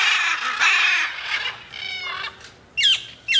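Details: Macaws in free flight giving loud, harsh, raspy squawks; a long grating burst followed by shorter rough calls, then two sharp clipped squawks near the end.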